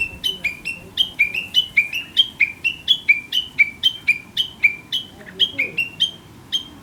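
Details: Chinese hwamei in rural countryside, heard each morning and described as chattering as if talking; a steady stream of clear whistled notes flipping between two pitches, some rising, four to five notes per second for nearly seven seconds.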